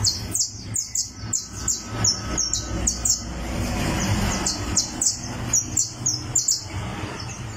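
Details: A criollo canary warms up and tunes its song on a tournament perch, giving a fast series of bright, high chirped notes about three a second over a low steady hum.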